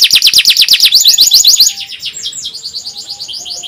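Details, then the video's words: Canary song meant as a tutor for young birds learning to sing, with a "nyerilik" style: fast repeated high buzzy trills about six per second, then a softer, varied run of chirps and trills; a faint steady tone beneath. "SUARA NYERILIK,PANCINGAN KENARI PAUD & MASTERAN KENARI SUSAH BUNYI"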